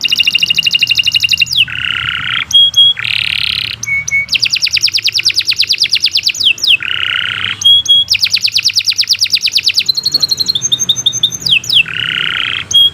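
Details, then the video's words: Canary singing a long, continuous song used for tutoring other canaries: fast high buzzy trills and rattling rolls alternate with lower warbled bursts and sharp clipped notes, almost without pause. "Kicau Burung Kenari II GACOR PANJANG Cocok untuk Masteran"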